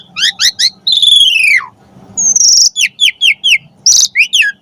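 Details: Lively full-variation song of an Asian pied starling, meant to tutor and prompt other starlings: quick ringing note clusters, a long descending whistle, a high sustained tone, then a run of evenly spaced bright chirps.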